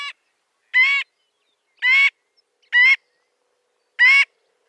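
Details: Marbled godwit uttering separate harsh, nasal honks with slightly upturned pitch, about one call per second, nothing else audible.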